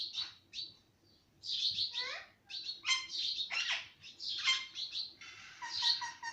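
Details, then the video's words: Parrot kept as a pet and said to speak words such as mittu, papa and mummy makes a quiet start, then rapid scratchy chatter and falling whistled notes in uneven bursts. "ye mittu sab bolta he - parrot talking everything - talking parrot"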